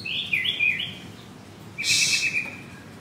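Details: Male white-rumped shama kept in a cage at a Kemayoran, Jakarta bird kiosk: a short run of high wavering whistles, a pause, then one sustained high whistle topped by a bright buzzy burst.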